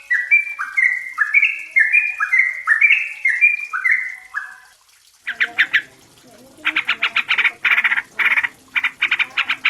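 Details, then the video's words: Yellow-vented bulbul, known locally as trucukan or merbah cerukcuk, a young untrained bird's song used as a lure to prompt singing. Bubbly, liquid two-note phrases step up and down for five seconds, then a harsh, rapid, pulsing chatter follows. "Pancingan TRUCUKAN BAHAN agar cepat bunyi dan gacor"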